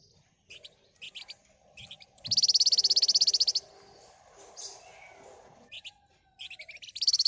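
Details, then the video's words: Flamboyan bird in full, excited song, used as bait to provoke other birds into singing: scattered high, sharp chirps, then a dense, fast, high-pitched rattling trill lasting over a second, repeated near the end. "Burung Flamboyan Gacor Emosi Ngebren Rapat Nyerecet"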